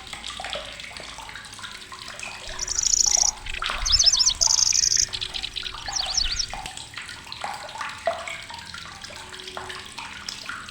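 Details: Lanceolated warbler, a migrant bird in Indonesia, giving a loud, shrill song: two high, buzzy, insect-like reeling trills of about half a second each, plus quick zigzag notes, over a busy chorus of other chirping birds and steady hiss.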